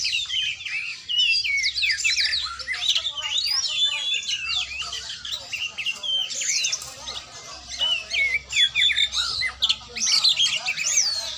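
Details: Kacer, or oriental magpie-robin, at song training: an energetic, continuous outpouring of sharp chirps, whistles and harsh notes over eleven seconds, loud bursts separated by brief dips.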